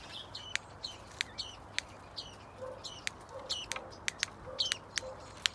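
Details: Female black-breasted thrush (Turdus dissimilis) in an outdoor aviary, attacking while defending her nest during breeding, gives sharp, dry chacks and thin upswept squeaks about twice a second, with a few soft low notes between.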